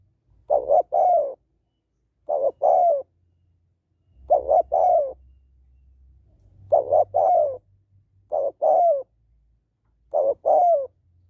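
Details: Female spotted dove calling to stimulate males: six mellow cooing phrases, each two quick soft notes then a longer falling coo, spaced about two seconds apart, with a faint low rumble in the background.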